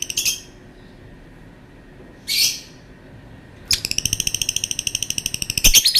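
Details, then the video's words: Lovebird calling: two separate harsh squawks about two seconds apart, then a quick run of buzzy, repeated chattering notes to the end. "Burung Lovebird bunyi suara panjang"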